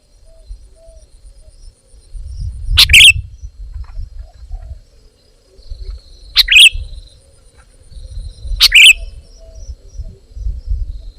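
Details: Three brisk warbled phrases from a sooty-headed bulbul, spaced a few seconds apart, each a quick liquid twitter. Low rumbling noise and a faint hum sit in the background.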